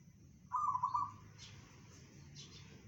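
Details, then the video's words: One fast, beaded cooing phrase from a local zebra dove in the bedah karang style, said to carry 500 meters, followed by quiet background with faint clicks. "perkutut lokal suara bedah karang tembus 500meter"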